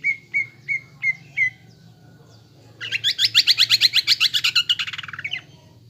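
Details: Greater green leafbird kept caged, singing a provoking lure song: five evenly spaced clear whistles, then a long loud burst of fast buzzy rattling notes lasting over two seconds.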